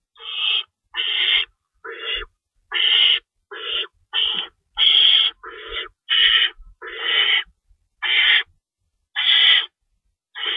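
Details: Owls at a nest during feeding time, 3:53 AM on March 25, 2012, with two rabbits stored in the nest and one adult staying in to shred food; harsh hissing screeches of about half a second each, repeated at uneven intervals, with faint low thumps.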